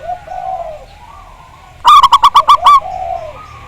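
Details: Zebra dove (perkutut) song used to prompt singing: soft low coos, then a loud burst of about seven quick, clipped staccato notes, followed by a trailing descending coo.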